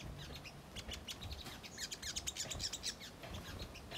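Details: Chattering song of a ruby-cheeked sunbird, known locally as sogok ontong, played to provoke untrained birds into calling back: scattered sharp high ticks and short chirps over a low background rumble.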